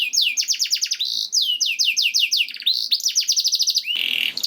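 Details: Training song of a canary meant to stimulate singing: quick rolling trills of downward-sliding notes broken by short flat whistles, ending with a harsh rasping burst and a high whistle.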